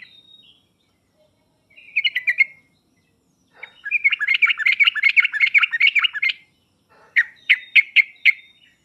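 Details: Master recording meant to prompt a reluctant sooty-headed bulbul to answer: short chirpy bursts, then a long bubbling run of rapid notes for over two seconds and a final string of spaced sharp notes.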